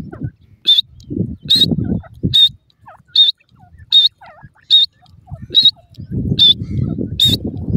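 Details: Francolin chick in the forest: a short, high, sharp peep repeated roughly every 0.8 seconds in a steady series, over low rumbling background noise that swells near the start and end.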